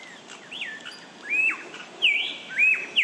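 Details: An Australian lyrebird mimics other birds with loud swooping whistles, rising then falling in arcs, several in quick succession with softer notes between.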